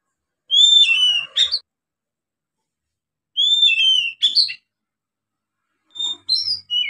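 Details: Young oriental magpie-robin starting to sing, used as a lure: three phrases spaced about three seconds apart, clear falling whistles with harsh chattering ends, the last phrase broken into varied, higher chirps.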